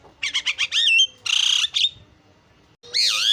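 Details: Starling lure song billed as champion chirping: a run of five quick rising whistled notes, then a dense buzzy harsh burst, a brief pause, and a loud sweeping whistle with a rasp at the end.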